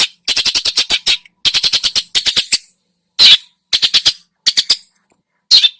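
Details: Lure recording of a Long-tailed shrike in full varied song, used to provoke other birds: rapid runs of harsh, rasping, high notes in stuttering bursts, then single loud squawks, with short pauses between phrases.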